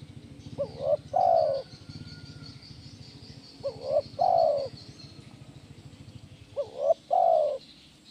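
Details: Spotted dove, called tekukur, singing the kuk 1 style for training birds: three phrases about every three seconds, each a pair of quick hoots ending in a long soft coo, over a low buzzing rattle and faint high hiss.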